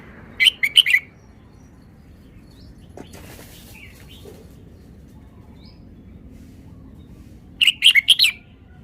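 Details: Red-whiskered bulbul singing two quick bursts of bubbly whistled notes seven seconds apart, with a brief rustle of wing flapping in the middle and a few faint soft notes.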